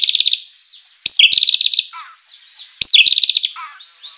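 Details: White-rumped shama in full energetic song packed with fill-in material, used as a lure to make rival birds answer; two loud bursts of rapid high buzzy trills about two seconds apart, each followed by softer twittering notes.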